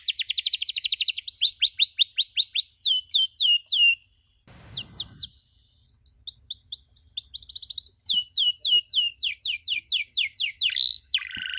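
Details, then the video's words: Masteran recording of a domestic canary, meant for young canaries learning the cuit-cuit chirp: long runs of rapid repeated chirps about two to three per second, a short pause, then more quick trilled chirp series. "MASTERAN KENARI SANGAT COCOK UNTUK PAUD YANG LAGI BELAJAR BUNYI CUIT CUIT"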